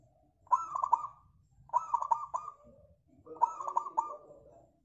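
Zebra dove giving three soft, rolling cooing phrases about a second apart, each made of quick stuttering notes ending in a longer purr.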